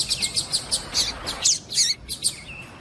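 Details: Rapid series of thin, high chirps from a female double-collared seedeater, repeated about every tenth of a second, then a few slurred twittering notes; the calls are meant to set a male singing.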